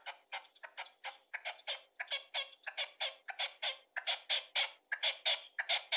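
A red-legged partridge gives a harsh, grating chuk-chuk series. The rasping notes come two or three a second in uneven clusters, with nothing else heard.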